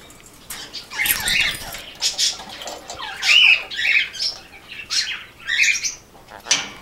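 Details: A pet male rainbow lorikeet calling for attention, as he does whenever he sees his owner: a rapid run of harsh, high screeches and chattering squawks, about eight bursts in seven seconds, with one brief clear whistle midway.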